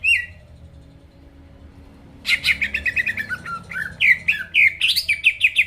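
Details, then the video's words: Greater green leafbird song used to stir rival birds: a short whistle, near silence for two seconds, then a rapid burst of chattering, buzzy notes and sharp slurred whistles. "PANCINGAN CUCAK IJO GACOR BUKA PARUH BIKIN LAWAN CEPAT ON LANGSUNG EMOSI DENGAR SUARA INI"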